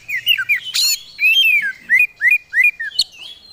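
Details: Oriental magpie-robin, a hobbyist's songbird of the kind entered in Indonesian singing contests, singing lively and unloading its repertoire of fill-in phrases: clear whistled notes, some rising and some falling, in quick separate phrases, with one sharp broadband burst near the start.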